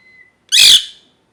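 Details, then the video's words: Molting pet parrot lets out a single loud, harsh, broadband squawk lasting about a third of a second, preceded by a faint steady whistle; otherwise quiet room. "Parrot Chirping Sounds | Natural Parrot Sounds | Parrot Calling Sounds"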